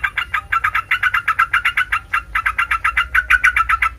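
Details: A Sooty-headed bulbul sings to draw other bulbuls into replying, giving a steady stream of bright, bubbly notes at about four per second with no break.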